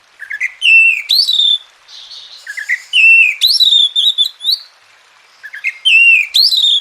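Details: Oriental magpie-robin song for training lazy birds to sing: the same whistled phrase of low rising notes, a sharp upward sweep and a sustained bright tone, repeated three times at roughly three-second intervals.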